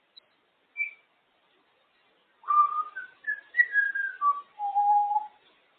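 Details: Female pet African grey parrot entertaining herself on top of her cage indoors: a short high chirp, a pause, then a run of clear whistled notes stepping downward in pitch, ending in a longer, lower steady whistle.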